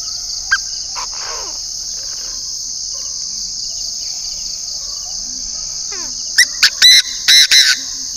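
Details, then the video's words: Decoy Chinese francolin from northern Vietnam: a few faint scattered notes, then near the end a loud, harsh run of short and longer ringing notes, all against a constant shrill insect background. "Đa Đa mồi miền bắc"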